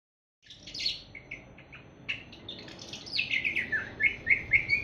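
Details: Seven-month-old awar-awar bird just beginning to sing, giving a rambling stream of high chirps and short sliding whistles, thin at first, then louder and more regularly spaced notes near the end.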